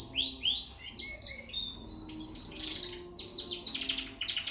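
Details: Young frill canary from Peshawar giving a bright, fast song of upward-sweeping whistles, buzzy trills and crisp chirps run together in continuous phrases, with light background hum.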